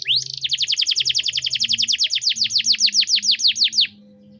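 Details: Canary in cengkok mewah style, a tutor recording for young birds. A steady rolling trill of sharply falling notes, about seven per second, gradually slows and then stops abruptly. A faint low hum continues.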